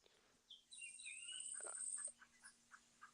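A Yellow-faced Grassquit gives a very high, thin, buzzy trill lasting over a second. Softer chips and short notes from other birds follow.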